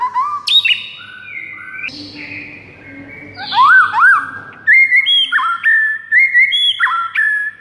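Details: White-rumped shama morning song used to train other shamas to sing: a varied run of clear whistles, from low rising notes to long flat tones, then quick chirpy upslurred phrases, with a faint low hum behind.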